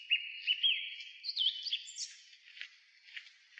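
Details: Song thrush singing from the top of a tall pine beside an old railway crossing booth near Zarechny, after 6 pm on 3 April 2023; bright whistled notes near the start, then a varied run of higher chirps and twitters.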